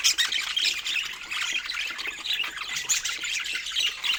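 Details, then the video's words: Budgies chirping as they feed on fruit; rapid, rasping high-pitched chatter with short squawks rising and falling in bursts without pause. "Sweet Chirping Sounds While Enjoying Healthy Fruit"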